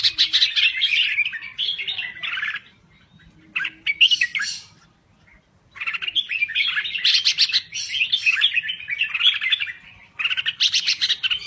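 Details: Red-whiskered bulbul from Thailand singing actively: dense, chattering warbled phrases in loud bursts, broken by short pauses, with harsh buzzy notes mixed in.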